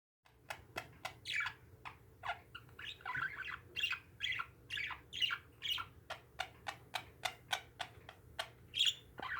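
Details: Pet parakeets calling indoors: a steady run of short, sharp chirps and harsh, buzzy squawks, about two per second, over a low electrical hum.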